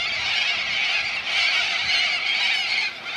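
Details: A large flock of corellas at Minkie Lagoon on Coopers Creek, near Innamincka, South Australia, fills the air with a loud, unbroken wall of raucous, grating screeches.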